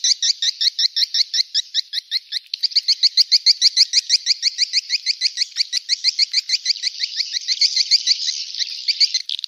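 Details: Swiftlet attraction call, a long rapid series of crisp high chirping pulses, briefly broken once and then resuming, quickening slightly and turning more buzzy near the end.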